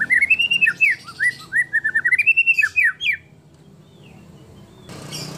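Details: White-rumped shama (murai batu) delivering a competition-style 'tembakan' burst with rich 'isian' fill-in phrases favoured by contest judges: rapid run of clear, slurred whistled notes, rising and falling, about three seconds long, then quiet with a brief rustle.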